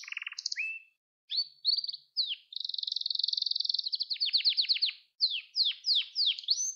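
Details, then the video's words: Young-canary training song from a canary: scattered short notes and gaps, then a long smooth buzzy trill, rapid repeated strokes and finally several separate sharp downward-sweeping whistles. "Kanarya Sesi Ötüş Eğitimi 2021 | Kanarya Ötüşü ve Ötüm Eğitimi"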